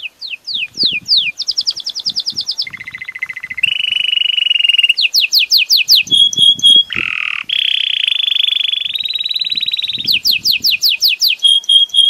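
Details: Belgian canary song: rapid trills of repeated descending sweeps, buzzy rolled passages and long steady whistled notes, switching between sections every one to two seconds, with faint low rustling underneath.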